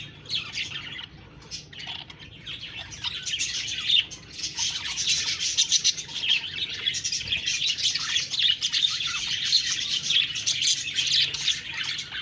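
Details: Budgerigar chirping starts sparse and quiet, then builds into a loud, continuous jumble of high twittering and buzzy warbles.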